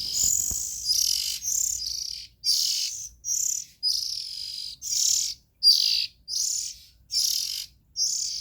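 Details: Young oriental magpie-robins calling: harsh, hissing bursts about half a second long, repeated irregularly with short gaps, loud and close, with no other clear sounds.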